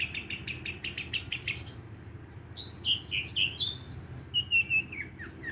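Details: Madura long-tailed shrike singing a fast-delivered mimicry song with sparrow and lovebird fills, used to tutor and lure other shrikes; a run of rapid repeated chips gives way to sliding whistled notes rising and falling.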